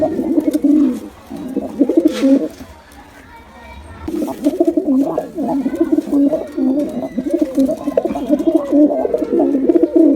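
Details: Deep burbling coos from male and female pigeons sparring together, a long rolling stretch, a brief near-quiet gap, then steady repeated throaty phrases to the end.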